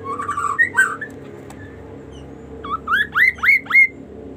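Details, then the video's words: Varied kaso kaso song: warbled low whistles first, a pause with background hum, then a run of four loud, sharply rising whistled notes in quick succession. "banyak fariasi suara burung kaso kaso"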